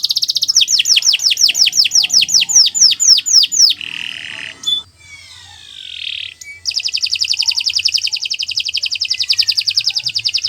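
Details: Training song of a canary: a fast series of descending whistled sweeps, then harsh buzzy notes with a gliding whistle, and finally a long steady rolling trill, high and piercing throughout.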